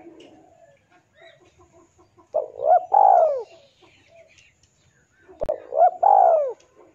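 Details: Male spotted dove calling its rival, used to lure birds: soft background notes, then two loud phrases of a brief coo, a hiccup note and a long sliding downward coo, with a sharp click between them.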